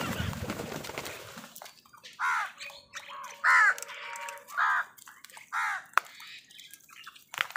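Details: Crows squabbling with other wild birds over food: a series of harsh, hoarse caws about once a second in mid-sequence, each short and nasal, after an opening stretch of scuffling noise.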